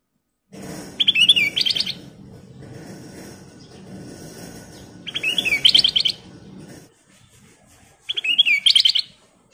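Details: Kutilang emas bulbul singing energetically, with three bursts of rapid whistled, bubbling notes spaced a few seconds apart against a constant low hum of background noise.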